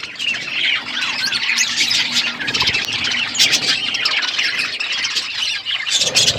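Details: Budgies eating food, giving dense high warbling chatter with squawky notes throughout, several birds calling at once.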